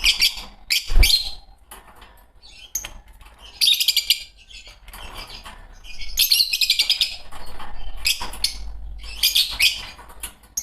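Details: Green Fischer's lovebird pair chirping: bursts of shrill, high chirps and twitters, some separated by quiet gaps, with a soft low thump near the start.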